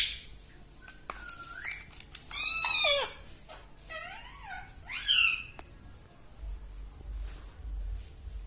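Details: Pet parrot in a room imitating human speech: a thin rising whistle, then several loud harmonic syllables that swoop down and up like spoken words, separated by short pauses.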